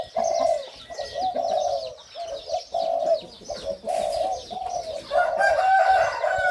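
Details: Caged hybrid Spotted Dove of the 'sai din' line, said to share its father's voice, crows in a steady run of low, hoarse coo notes, each about half a second. Thin chirps of small birds run throughout and grow busier near the end.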